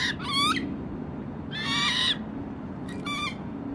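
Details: Young American coots swimming with a parent on Lake Merced give loud, screechy, harmonic-rich cries, three bursts in under four seconds, the middle one longest and harsh, set against a constant low rumble.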